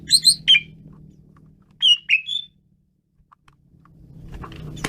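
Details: Asian pied starling singing energetically: a few loud whistled and squawky notes at the start, another short burst of two or three whistles near two seconds, then near silence over a faint low hum.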